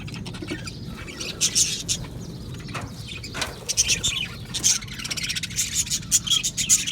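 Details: Budgerigars in an aviary colony, singing and chirping: scattered high, scratchy chirps and short bright twitters come in bursts, growing busier toward the end over a low background rumble.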